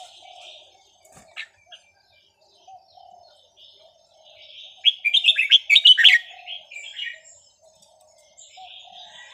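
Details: Red-whiskered bulbul of Vietnamese stock, a small caged bird over ten years old, singing in the counted-phrase style: a short burst of bright, rapid warbled notes midway, with faint chirps and quiet pauses around it.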